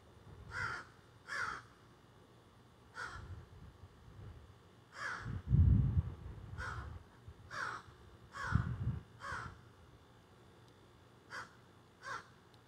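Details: Several crows squawking from backyard trees, filmed by phone: short harsh caws spaced irregularly through the stretch, with occasional low thumps and handling bumps underneath.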